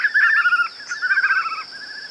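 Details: Natural, effect-free song of a white-eared puffbird: two rolling, warbled phrases of rapid wavering notes, each lasting about half a second, then a softer trailing note, with a constant high-pitched insect hum behind.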